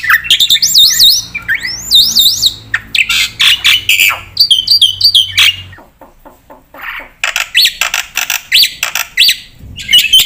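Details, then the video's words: Javan pied starling delivering a varied song: looping, wavering whistles, harsh squawks and clipped chattering phrases in irregular bursts, with a brief lull midway. "pakai suara burung jalak putih gacor full isian buat pancingan dan masteran pasti nyaut"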